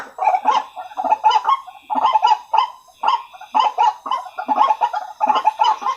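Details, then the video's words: Lure recording of White-breasted waterhen calling: coarse, nasal croaks delivered in uneven groups of three or four, roughly once a second, separated by brief silences. "Suara Pikat Ruak Ruak Paling Ampuh"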